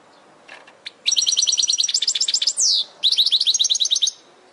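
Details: European goldfinch singing on a training recording meant for caged birds: a couple of soft opening chips, then a rapid liquid twittering run, a drawn-out descending slur, and a second twittered burst.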